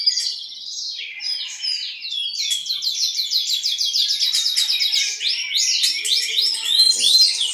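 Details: East Javan Horsfield's bushlark delivering a rapid, continuous high song of sharp repeated chirps and slurred whistles, about three notes a second, steady and energetic throughout.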